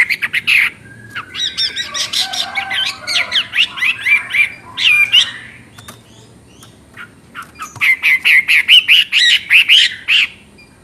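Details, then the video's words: Chinese hwamei singing in two bursts: a jumbled, varied stretch of whistles, warbles and harsh notes, a quieter gap, then a quick series of crisp, repeated whistled notes rising and falling. "Burung Hwamei Wambi NGOCEH Istimewa Gacor Suara Cristal"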